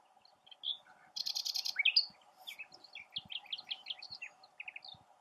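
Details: Nightingale singing from its perch in a tamarisk: a burst of rapid metallic notes, a sweeping rising whistle, then a varied run of short chirping phrases; a steady low hum runs underneath.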